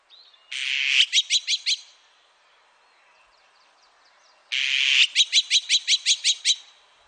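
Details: Azure-winged magpie giving two harsh calls, each a rasping buzz followed by a rapid run of about five to seven clipped notes, the second call coming four seconds after the first; faint chatter in between.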